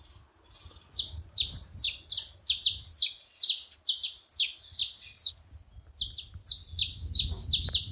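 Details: Several saffron finches together making noise: a dense run of sharp, high, downward-sweeping chirps, overlapping and repeated several times a second after a brief quiet start, with a faint low rumble beneath.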